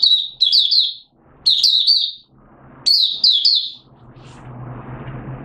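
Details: Malaysian Oriental white-eye in buka song, Singapore, 29 March 2023, warm and humid with sudden showers. Three bursts of high, quick, slurred twittering notes, then the bird falls silent as a low rumbling hiss rises.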